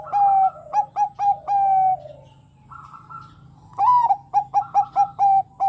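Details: Bangkok-type zebra dove in strong song, said to provoke rival doves into singing. Gives quick staccato notes ending in a long coo, a pause, then a second, longer run of clipped notes and coos.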